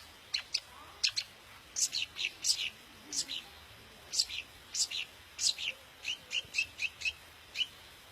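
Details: Long-tailed shrike, daput style, song played to provoke other shrikes into singing: a steady series of sharp, high, clipped notes and double notes, roughly three per second, some descending, with faint low murmur beneath.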